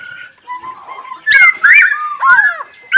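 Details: Black laughingthrush: soft low whistles at first, then loud looping and downslurred notes in a tumbling phrase, ending abruptly.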